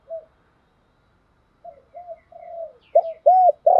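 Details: Male and female spotted doves giving 'thúc gù' coos to stir birds: a faint early note, silence, then soft murmured coos swelling into louder arched coos toward the end, faint chirps above.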